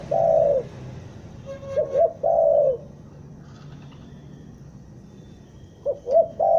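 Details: Bandung spotted dove used as a trapping lure. It gives a long falling coo, then a pause, then two brief coos and another long coo. Another phrase begins after a silence of about three seconds.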